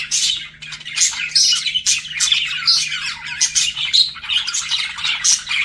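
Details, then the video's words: Courting budgerigars give loud, bright chirps and squeaky warbles in uneven bursts, roughly one cluster every second, over a steady background chatter. "BUDGIES FLIRTING"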